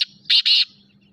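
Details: Kala teetar, the black francolin, calling: two loud rasping buzzy notes in quick succession after a brief opening note, then quiet with a faint low hum underneath.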